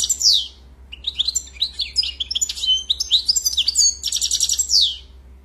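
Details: European goldfinch in continuous varied song, high liquid twitters, slurred whistles and a dense buzzy trill near the end, delivered without a break over a low background hum.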